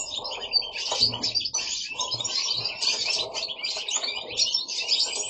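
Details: Pet goldfinches at home in Italy in full song: a busy stream of high tinkling twitters and quick trilled phrases from several birds, steady throughout.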